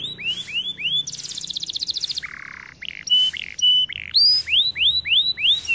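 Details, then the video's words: White canary singing, a fast varied song of repeated rising slurred whistles, a rapid buzzy trill, a low harsh rolled note, then more bright upslurred whistles in series. "White Canary Bird Singing | Sound of nature | Canary song"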